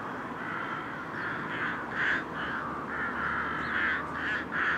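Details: Rooks giving a dense run of harsh, rasping caws that overlap and follow one another about twice a second, several birds apparently calling at once over a steady background hiss.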